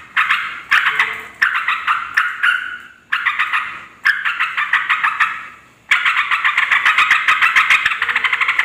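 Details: Noisy yellow-vented bulbul chatter meant to lure wild males and females: rough, grating phrases roughly a second long, each a quick series of clicking bursts, separated by short gaps, then a dense continuous stretch of chatter toward the end.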